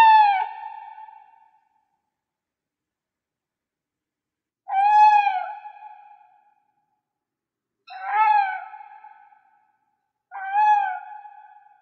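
An owl gives four hooting calls, each a low hoot around one second long, spaced a few seconds apart against a silent background.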